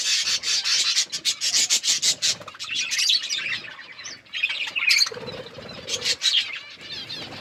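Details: Several budgerigars chirping while eating food and playing: a rapid run of sharp clicking chirps, then varied warbled notes and whistles, with a low murmur near the end.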